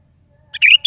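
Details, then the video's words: Morning song of a sooty-headed bulbul: a brief chirp followed by a fluty, slightly rising warbled note and the start of another, clear against a quiet background. "SUARA BURUNG KUTILANG GACOR DI PAGI HARI"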